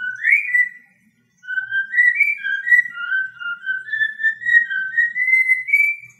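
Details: A cockatiel kept as a pet whistles "I Love Me Some Me": a rising opening note, a pause, then a string of short, pure melodic notes stepping up and down in a steady rhythm.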